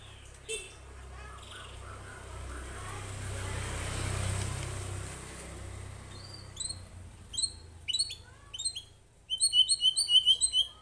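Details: White-rumped shama in lively song, responding to a lure recording: after a stretch of broad noise, sharp whistled notes start, building to rapid repeated bright whistles and trills near the end.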